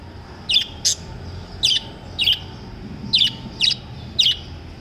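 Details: Lovebirds chirping: short, bright, high-pitched notes in paired bursts roughly every half second to a second, some doubled, over a low steady background hum.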